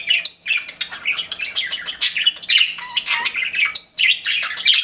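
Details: Pet budgerigars singing a busy warbling chatter, mixing clear whistled notes with scratchy squawks, nonstop and high-pitched.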